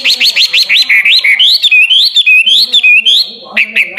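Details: Hwamei, or wambi, in full song for tutoring competition birds: a quick series of rising notes gives way to rolling, wavering whistles that run on without a break, then a short clipped ending.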